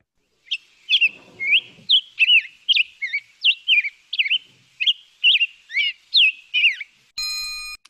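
Black-headed Grosbeak singing a rich, whistled, robin-like run of rising and falling phrases, quick and continuous, more whistly than a robin; a brief electronic beep ends it.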